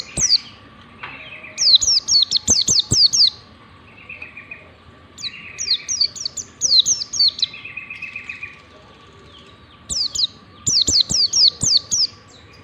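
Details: Warbling white-eye ngalas song, a lure used to train white-eyes to sing; bursts of rapid, very high twittering notes alternate with lower buzzy trills, over a steady faint hum and occasional clicks.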